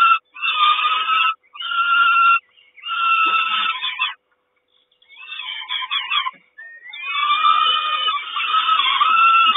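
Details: At a Kawęczyn nest on 3 June 2022, a peregrine falcon mother delivers breakfast amid grating, wailing cries in bursts of about a second, with short pauses and a final long strident stretch.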